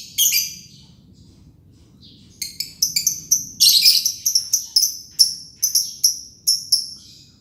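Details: Green lovebird in ngekek: an opening harsh burst, a pause, then a rapid chain of bright, sharp chirps about three per second around a brief raspy buzz.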